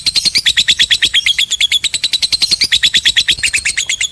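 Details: Long 'ngekek' chatter from a lovebird, played to provoke silent birds into calling: rapid, evenly spaced raspy pulses repeated without pause, high-pitched and shrill, with nothing else audible.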